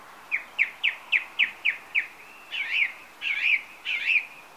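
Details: Song thrush singing on a summer evening from a TV aerial: a run of about nine sharp repeated whistled notes, then warbling, rising and falling phrases near the same pitch.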